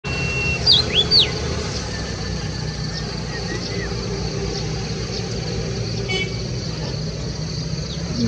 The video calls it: Brownish-flanked Bush Warbler singing